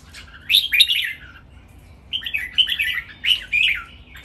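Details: Red-whiskered bulbuls, three caged birds, sing an energetic training master song counted by phrases: a bright rolling warble, a pause, then several quick, bubbly, whistled phrases in succession.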